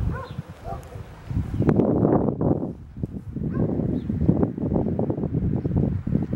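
White stork giving a dry, wooden clattering rattle in uneven bursts, low and percussive, with faint higher tones early on.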